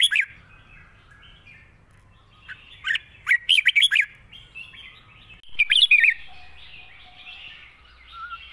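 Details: Wild-style song of a Red-whiskered bulbul with long, lightly delivered phrases: a brief note, then a rapid chattering run of liquid whistles, and a second warbled burst after a short gap, over a soft continuous background hum.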